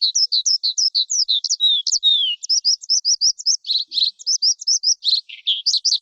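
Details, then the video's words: Lark song of rapid high chirps, a long descending slurred whistle, then evenly repeated short notes and buzzy rattles. "Tiếng chim Sơn Ca hót"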